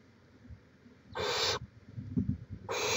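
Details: Barn owl at the nest in Chula Vista, California, 18 May 2017: two harsh, breathy hisses about half a second each, separated by a short gap with low thumps.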